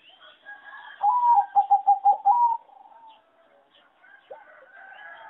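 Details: Zebra dove bred on a farm for competition singing, among birds said to have the worst melody. A loud, rapid series of about six staccato coos at a steady pitch, followed by faint cooing from surrounding doves.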